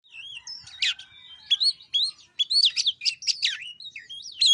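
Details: White-rumped shama song used as a lure to coax a reluctant bird into singing: rich, varied phrases of clear whistles, sharp rising and falling notes and quick chattering bursts, loud and continuous.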